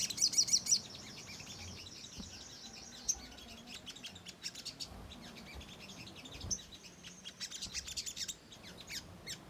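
A Ruby-cheeked sunbird opens with a quick burst of very high, thin chips, then keeps up a fast, sibilant twitter over faint background hiss.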